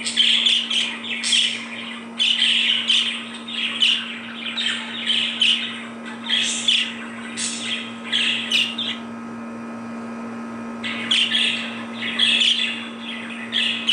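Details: Budgerigars chirp in response to played recordings of similar budgie chirps, giving bright, rapid chirps and warbles in bursts over a steady low indoor hum.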